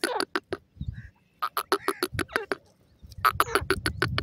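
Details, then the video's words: Teetar calls, named as black francolin and related birds: repeated rasping, clicking notes in fast runs broken by brief pauses, with low background noise. "Dakhni Silver Jore and Bhuda Teeter sound"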